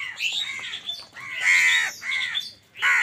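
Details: Harsh, grating caws from crows fighting for food, with bursts of overlapping squawks and a loud, hoarse call near the end.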